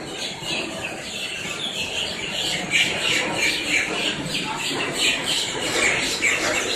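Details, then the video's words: Up-close chorus of blackbirds in Miami, Florida: many birds squawking at once, rasping high notes overlapping in a steady, rapid stream, about three per second, with faint low background hum. "blackbirds squawking"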